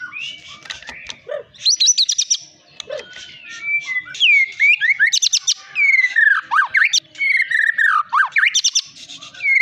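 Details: White-rumped shama of the long-tailed Medan type, a caged contest winner loved for its varied melodious voice, alternates fluting downslurred whistles with quick bursts of high repeated notes.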